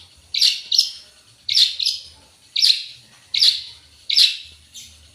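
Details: Long-tailed shrike delivering full 'isian' song: harsh, buzzy paired chips repeated roughly every second, each pair high and raspy, with near silence between.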